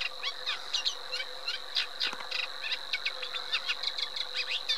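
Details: Eurasian reed warbler song: a steady run of short, scratchy chattering notes, some repeated in pairs, with a constant high whine and a low hum running underneath throughout.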